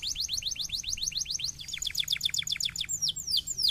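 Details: Canary song used to stimulate other canaries to sing: fast series of repeated high descending notes, then a quicker rattling trill of short strokes, ending in sweeping upslurred whistles; faint low hum underneath.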